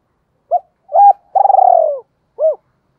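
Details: Caged lure spotted dove giving its crowing coo to attract wild doves: one short coo, a firmer double-toned coo, then a long, vibrating note falling in pitch, ending with a single soft coo; no other sounds.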